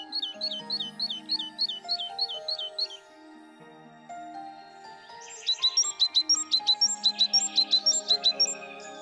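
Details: Great tit at a garden feeding place in Goch: a run of quick two-note phrases, a short pause, then a higher, brighter series of repeated paired notes, all over continuous background music.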